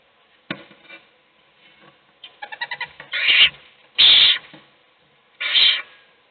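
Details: Owl feeding a chick while the rest of the brood sleeps; soft clicking and a quick series of short chittering notes, then three loud, harsh hissing screeches about a second apart.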